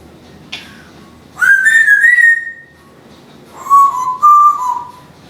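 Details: Pet female Timneh African grey parrot indoors, a talking and singing mimic: a brief sharp note, then two clear whistled phrases, one near-level and wavering and a lower warbling one, in a quiet room.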